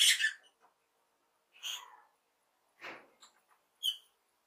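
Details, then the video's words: A lovebird gives happy chirps: a loud scratchy squawk, then spaced raspy notes and one breathier, buzzier call, with a final bright, ringing chirp. "Lovebird Sounds - Lovebird happy chirping"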